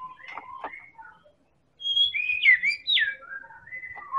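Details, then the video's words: Medan-type white-rumped shama from Indonesia, a keen singer whose song serves as a lure to set other birds singing: soft mixed whistles, a brief hush, then louder high, bright warbled notes with gliding slurs. "Pancingan Burung Murai Batu Medan Super Gacor"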